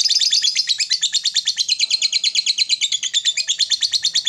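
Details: Lovebird singing in the long ngekek style while calling out to a rival: a loud, unbroken stream of rapid, harsh, high chattering notes, about three a second, even and steady throughout.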